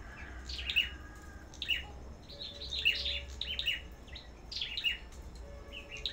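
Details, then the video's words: Black-throated Bushtits at a bird farm, singing against each other: quick high chirps and short twittering phrases, irregular and overlapping. "Sâu Đầu Đỏ Hót Đấu Đủ Loại"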